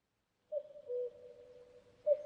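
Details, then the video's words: Common cuckoo giving one clear two-note cu-coo, higher note falling to lower, with a long ringing echo afterwards; the start of a second call cuts in at the end. "Cuckoo Bird Sound"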